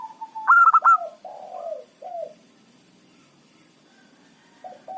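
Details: Local zebra dove kept as a lure for rival birds. A loud, fast-pulsing four-note phrase is followed by several soft, falling coos, then near silence. Faint background hum throughout.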